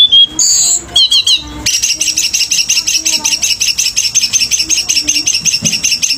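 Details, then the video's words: Vigorous song of a selendang biru bird: a few sharp whistles and downslurred notes open, then a long fast rhythmic trill of bright high pulses, about two per second. "Burung Selendang Biru GACOR !!! | Isian melimpah !!!"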